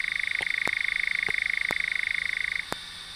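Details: Eurasian nightjar giving a sustained mechanical churr, a fast even rattle of pulses that stops abruptly near the end. Several sharp isolated clicks are scattered through it, and one follows after the churr ends.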